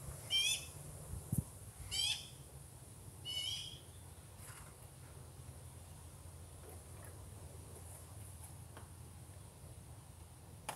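House sparrow giving three harsh, chirping calls about every one and a half seconds, then quiet with faint distant chirps over a low rumble.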